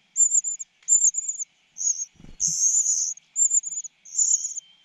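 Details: A cuckoo chick being fed, greedy for more food, gives shrill, high, hissing begging notes in short bursts of about half a second, six or so in a row, with a soft low thump midway.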